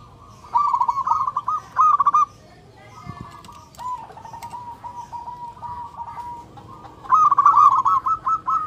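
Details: Mate-calling song of a local zebra dove, loud and clear: two staccato coo bursts, a pause with a faint knock, then a long even series of softer cooing notes and a final rapid rolling phrase.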